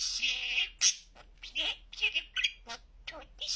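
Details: Clearly talking pet budgerigar producing rapid, high, slightly raspy speech-like phrases with short pauses between word-like bursts.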